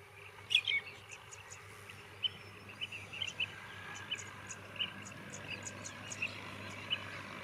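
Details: Four common mynas give short, sharp chirps and clicks at an irregular pace over a steady high hiss and a low background hum.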